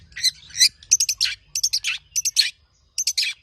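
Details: Long-tailed shrike, a tame captive bird in full song used to prompt and tutor other birds: grouped bursts of fast high chattering notes mixed with harsh downward squeaks.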